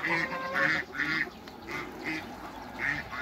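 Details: Backyard hybrid Cayuga and Muscovy ducks at a meeting, giving loud nasal quacks in bursts of about two per second, some drawn out, with a soft background hum.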